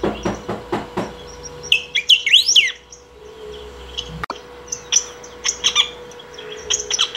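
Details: A saffron finch sings to call or train birds: quick dry clicks open, followed by a tumbling phrase of looping, rising and falling notes, then a scatter of sharp high chirps, over a steady hum.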